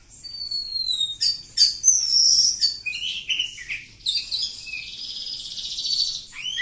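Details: Continuous song from a village-type oriental magpie-robin: a long falling whistle, quick scratchy chattering phrases, then an extended rapid buzzy trill ending with a rising note.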